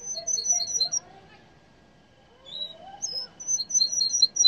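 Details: Yellow canary repeating quick high paired notes in two bursts separated by a short quiet pause with a soft slurred note.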